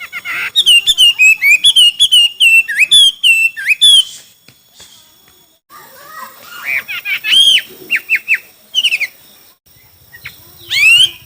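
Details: Chinese hwamei in a song contest, singing a fast series of loud whistled and chirped notes that then break into scattered sweeping whistles, with pauses between.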